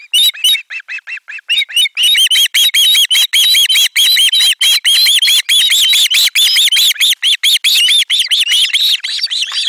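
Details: Osprey chicks at a nest in Finland, 18 July 2022, screaming loudly in chorus as a fish is brought in: rapid, high, harsh repeated squeals, about one and a half per second, growing denser and more continuous after two seconds.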